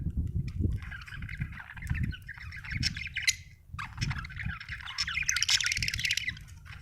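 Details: Budgerigar chirps and squawky warbling rise over a noisy low rumble and occasional thumps, the chatter breaking off briefly and resuming in a dense, scratchy burst.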